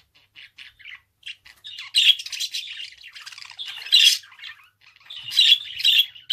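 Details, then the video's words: Budgerigar starts with scattered soft ticks and twitters, then builds into a long run of buzzy, scratchy warbling with repeated loud squeaky peaks. "Kuş sesi - Muhabbet Kuşu"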